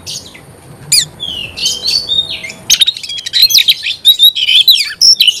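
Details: Oriental magpie-robin, a few whistled notes at first, then a sudden fast stream of high chirps and sweet whistles running to the end.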